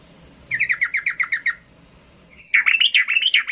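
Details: Agitated yellow-vented bulbul looking for a rival gives a quick series of about ten downslurred chirps. After a short gap comes a denser burst of harsh, warbled notes, over steady low background noise.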